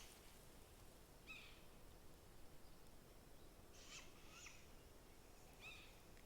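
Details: Recently fledged young great grey owls, a trio with a parent in the remote Northern Blue Mountains of southeast Washington, give faint, hissing screeches spaced a second or more apart over steady hiss; the adult calls to calm them.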